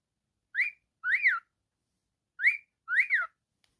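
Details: Pet cockatiel giving two pairs of bright chirps, a single rise then a rising-and-falling double note, with harmonics and a quiet gap between pairs.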